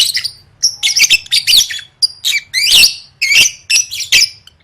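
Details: Lovebird prepared for singing contests, pouring out continuous fast, shrill chattering with buzzy squeals and sharp chirps in closely spaced bursts, low hum in the background.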